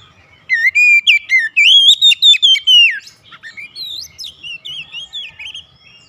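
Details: Domestic Oriental magpie-robin singing busily as part of its daily routine: a loud, rapid burst of bright whistled notes climbing then dropping, followed by softer, varied twittering phrases.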